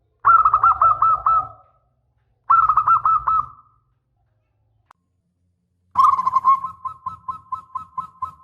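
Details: Local zebra dove singing to draw replies from other doves: two short rolling coo phrases two seconds apart, a pause, then a longer even string of evenly spaced soft coos.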